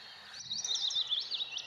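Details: Willow warbler singing from a treetop by Heronry Lake, Paxton Pits, 13 May 2018: a soft, sweet run of high notes sliding gently downward, over a faint rural background.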